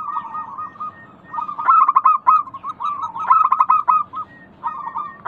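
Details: Local zebra doves calling as a lure for other doves: two loud bursts of fast hooked, stuttering coos over a background of softer trilled cooing from other doves.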